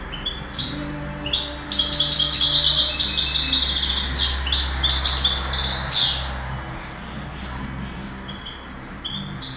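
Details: Contest European goldfinch from a 2008 singing competition, delivering a dense, rapid run of high twittering and buzzy notes, tumbling and jangling for about five seconds before falling quiet, with a low indoor hum beneath.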